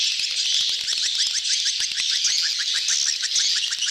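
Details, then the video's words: Crowded swiftlet gathering during mating, betompok style lure call: many high twittering chirps overlapping in a steady, unbroken chatter. "suara tarik walet ramai,kerumunan kawin / birahi "BETOMPOK""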